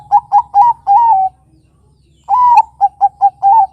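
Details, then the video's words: Lure song of a young Bangkok zebra dove meant to draw replies from quiet birds: rapid rounded coos leading into a sustained coo, then after a brief gap a long note followed by three short coos and another drawn note. "Pancingan Suara Burung Kutut Perkutut Bangkok Gacor"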